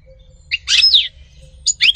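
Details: Two brief bursts from a European goldfinch: a tinkling twitter ending in a thin, descending whistled slur, then a quick chirped fragment after a short pause.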